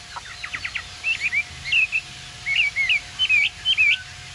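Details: Caged Chinese hwamei with green plumage, yellow bill and feet, eyebrow markings, opens with a quick burst of sharp ticks, then delivers clear rolling whistled phrases in short repeated pairs, over a faint steady hum.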